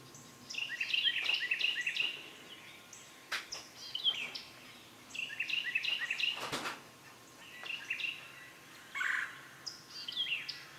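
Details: Northern cardinal nestlings being fed a large green caterpillar by their mother give bursts of rapid, high chattering every couple of seconds, with a few sharp clicks and soft background noise between bursts.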